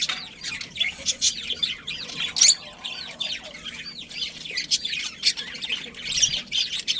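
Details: Steady twittering from a budgerigar breeding colony: many short, high chirps and warbled notes overlap continuously, with a few louder, piercing squeaks standing out.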